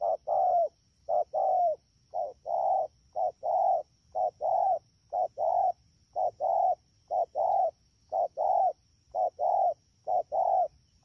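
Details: Rapid cooing from a wild-caught spotted dove, Đak Tô, 3 October 2019, rainy season: low mellow double notes, a brief note followed by a longer one, repeated almost continuously, about one per second, over a steady high-pitched hum.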